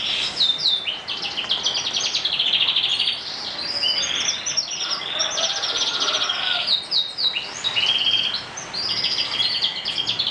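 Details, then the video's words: Morning song of a canary, an unbroken run of rapid high rolling trills and sharp chirped notes that switch pattern every second or two, with brief pauses near the end. "kenari di pagi hari"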